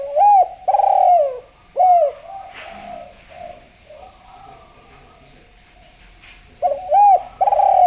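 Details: Spotted dove, lively and sweet-voiced, calling as a lure: a rounded, hooting coo phrase at the start and another at the end, with a quiet stretch between that holds faint soft background sounds.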